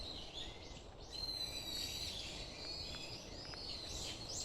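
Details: Birds singing at Iwashimizu Hachimangu shrine: several thin, high chirps and short whistled notes overlap, with sweeping slurred phrases near the end, set against a steady low outdoor hiss.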